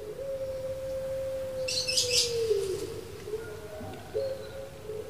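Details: Captive puter pelung, a domesticated Barbary dove from Java, Indonesia, kept as a time marker, giving its song: a long, steady, mournful hoot that slides down at the end, then a softer second note, over hiss and rustling.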